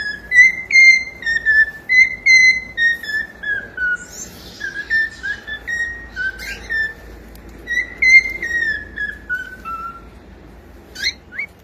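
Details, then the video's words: Pet cockatiel whistling a song: clear, ringing notes in steady phrases. Many notes slide gently downward, about two to three per second. A soft rustle and a couple of short high chirps come near the end. "SOM DE CALOPSITA CANTANDO"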